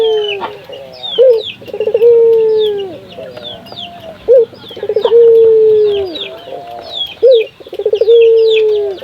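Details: Local puter dove cooing as a lure for other doves: three phrases of a short opening note, a quick rattled roll and a long, gently sinking low hum, spaced about three seconds apart, against lively high twittering.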